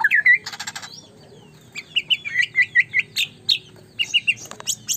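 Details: A white-rumped shama (murai batu) sings rich, rapid whistled phrases with sliding notes and harsh buzzy bursts, mostly high-pitched, in quick repeated runs.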